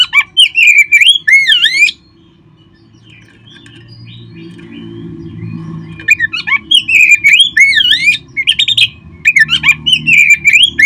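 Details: Oriental magpie-robin singing, a recording meant to prompt kept birds into song: sweeping, up-and-down whistled phrases and quick chirps open the clip, several quiet seconds follow, then dense rich song returns with a faint low hum.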